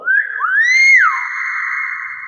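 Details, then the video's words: Common hill myna, a kept bird imitating sounds, giving a loud pure whistle that wavers, rises to a peak, then drops and holds a long steady tone, with people cheering it on. "burung beo pnitar suara asli"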